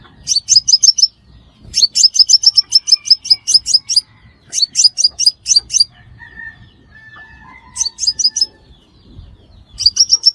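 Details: Crimson sunbird lure calls for trapping in Vietnam: rapid clusters of high, sharp ticking notes lasting about a second, separated by short gaps, with faint thin whistles and low background rustle in the pauses.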